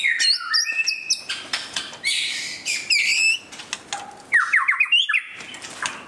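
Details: White-rumped shama singing during display: a fast, varied run of clear whistles, slurred rising and falling notes and brief harsh bursts, shifting between high and mid pitches with short pauses.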